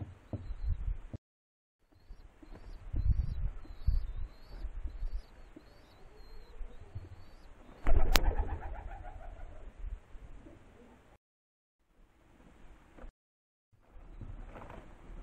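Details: Soft, low Rock dove coos come faint and intermittent through rumbling background noise, with a sharp click near eight seconds and brief silent gaps.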